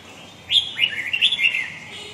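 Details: A red-whiskered bulbul in the huế gọng dài style delivers a quick phrase of rising and falling liquid whistles, ending in a bubbly, wavering trill.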